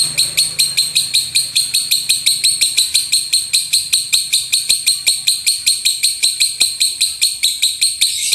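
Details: Rumbling 'tembakan' lovebird song, a master recording for teaching birds to sing loudly: a long steady volley of harsh, very high clipped notes around three per second, with a low hum in the background.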